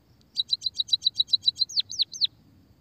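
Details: Lure recording of a white-headed munia for stimulating munias: about ten rapid, evenly spaced high chirps followed by three curved, downward-sweeping notes.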